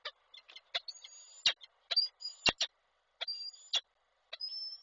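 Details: Male peregrine falcon calling the female as he brings a prey gift, recorded by an online camera in Koszalin on 16 February 2024. Loud harsh sharp-edged notes, some carrying a thin high whine, come in irregular bursts, about two per second.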